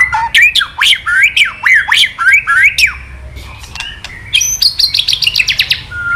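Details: Male white-rumped shama roused to sing by recorded calls, giving a rapid string of repeated swooping whistled notes, then a fast burst of high buzzy ticking phrases near the end.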